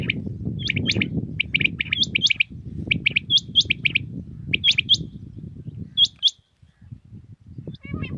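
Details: Common quail singing early morning in Pakistan: sharp, liquid three-note 'whit wit-wit' phrases, repeated about every second, over a low rumble of background noise.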